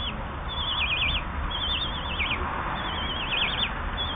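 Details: Common kestrel chicks eight to ten days old being fed: three bursts of high, quavering, undulating squeals, each lasting about a second, separated by brief pauses, with low background rumble.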